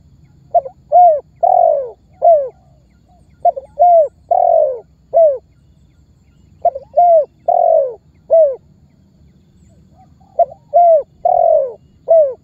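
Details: Spotted dove calling and pressing, used by trappers as a lure that sets other birds calling: rapid bursts of hollow coos, clipped notes and longer falling coos in clusters of five or six, repeated three times with short gaps.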